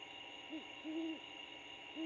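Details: Great horned owl pair chatting in an abandoned bald eagle nest 75 ft up a storm-damaged pine in Georgia; soft low hoots, one short then a longer slightly wavering one, another starting at the end, over steady hum.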